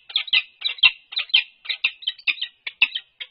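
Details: Peregrine falcons, the resident UC Berkeley pair, calling during head bowing and nest scrape courtship on 4 March 2022: a steady string of hoarse, squeaky chup notes, about two each second, with no other sounds.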